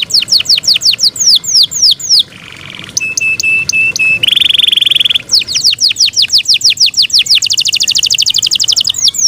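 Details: Singing Yorkshire canary, a kept bird: series of bright downslurred chirps, then a ticking phrase, a buzzy roll and a dense high trill closing the song.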